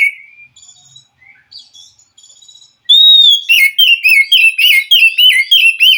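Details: Forest white-rumped shama singing back to a caged bird reluctant to sing: faint scattered whistles, then a sudden loud stream of rapid, looping warbled notes repeated steadily.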